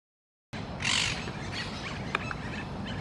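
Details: A Eurasian jay, described as happy and fighting, gives one harsh rasping screech of about a third of a second, then a faint click over steady outdoor hiss.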